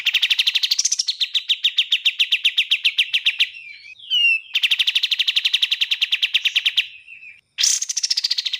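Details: Bar-winged prinia (kapas tembak) song, clean with pauses: two long, fast trills of sharp, high repeated notes, each lasting about three seconds, separated by brief chirps and a short gap, with a higher rising burst at the end.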